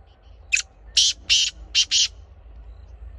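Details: Black francolin calling: a harsh, grating phrase of five short rasping notes, the first brief, then paired bursts, over low steady rumble.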